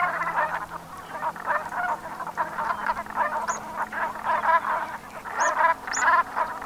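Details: Brent geese calling together at sunset, Gulf of Morbihan, Brittany, 7 November 2021: continuous gravelly croaking chatter, with a few thin high whistles from another bird near the end and a faint low hum.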